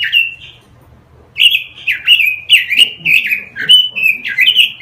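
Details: Lure recording for training caged birds, with a robin singing a soft warbled note, a short lull, then a quick chain of loud, twisting whistled phrases in a steady flow.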